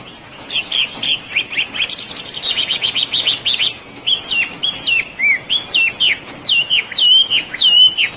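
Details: Oriental magpie-robin (wambi) singing a rapid series of about twenty short, clipped notes, then a slower stretch of varied twisting whistles.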